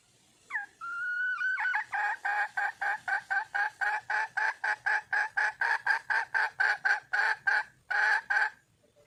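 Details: Red junglefowl hen in the wild calling for a male partner: a brief hooked note and a long flat whistle, then a long, loud train of over twenty rasping clucks, about four per second.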